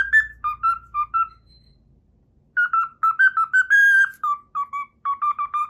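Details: Cockatiel, a pet, whistling the Pythagora Switch opening theme it learned: quick pure notes, a silent pause of about a second, then the tune resumes with a long held whistle and more bouncing notes.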